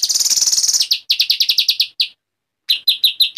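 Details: Agitated white-rumped shama in vigorous song: a dense high rapid trill, then sharp separate downslurred whistled notes in quick series, a brief silence, and four more loud clipped notes.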